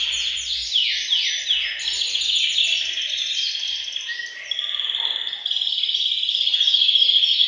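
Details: Canaries in a bird room sing as a group to get males singing and females ready for breeding. Fast descending trill phrases repeat in quick succession, then give way to steadier rolling trills and a thin held whistle.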